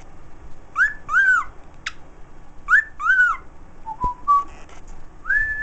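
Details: A pet bird whistles part of the Andy Griffith theme in bright gliding notes. Paired rising-falling whistles are followed by lower level tones and a final long held note.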